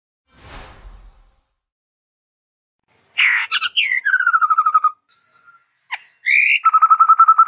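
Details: ['Chestnut-rumped babbler, stated as a bird endemic to Sumatra, singing in full varied voice: after a brief noise burst, rising whistled notes lead into rapid level trills of about ten pulses, repeated twice.']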